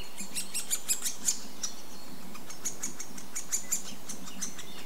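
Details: Great Spotted Woodpecker, with a male and a chick present: sharp, high, clipped ticks in two quick irregular bursts, about three a second, over a low background rumble.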